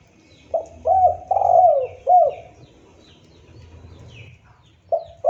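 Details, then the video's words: Clean cooing of a spotted dove suited to luring: a phrase of four hollow coos, the third longer and sliding downward, then quiet, and a fresh coo starting near the end. "Suara burung tekukur bersih"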